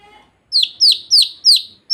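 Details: Chicks peeping: five loud, piercing downward-sweeping chirps about a third of a second apart, after a short faint sound at the start.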